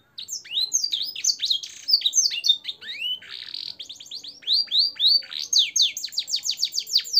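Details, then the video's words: Canary kept as a cage bird sings a long tutoring phrase with blackthroat and sanger elements: rapid rolling chirps, a brief buzzy passage midway, then rhythmic bursts of quick downslurred whistles at a steady pace. "suara burung kenari gacor isian blackthroat dan sanger untuk masteran"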